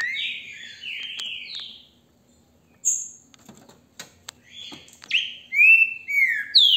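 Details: Captive green-winged saltator held by a registered amateur breeder in Brazil, recorded on a mobile phone in hand: a phrase of rich, slurred whistled notes, a quiet pause with faint clicks, then another loud descending whistled phrase and thin high chirps.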